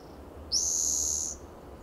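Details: Spotted Towhee singing from a perch in the cool shade of a lichen-covered coast live oak in Del Monte Forest, California, on a June morning; one harsh, buzzy trill lasting under a second, high-pitched and steady, over quiet low background hum.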